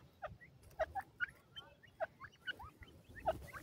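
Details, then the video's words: Female teetar, an Indian francolin, uttering scattered short chirps and curling notes in irregular pairs, with a faint hiss and low rumble behind. "ghoray teetar kio awaaz,indian teetar madi ke awaz"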